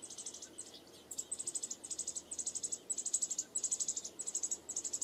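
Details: Begging from American robin nestlings, three chicks at one nest: shrill, high-pitched rapid chirps packed into short bursts, roughly ten bursts in five seconds after a brief pause near the start, with a quiet background.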